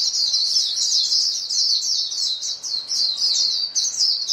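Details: White-eyes calling to one another as a flock, heard as a constant, shrill chorus of small twittering notes with a slight rise and fall in loudness.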